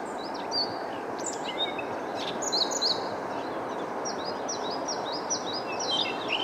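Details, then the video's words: Siberian rubythroat singing: a scattered series of high, thin whistled and slurred notes, growing into quicker repeated phrases toward the end, heard over steady loud background noise. "Calliopa calliopa song"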